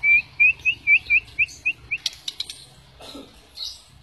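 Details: Provocation song of a white-rumped shama to get other shamas singing: eight clear upslurred whistles repeated about every quarter second, then dry clicks and a faint rustle.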